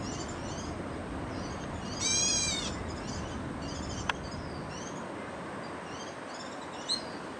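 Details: A black bulbul in Taichung, Taiwan, on 25 August 2013, gives one nasal, cat-like mewing call lasting under a second, over a steady background of high, thin chirps from other small birds.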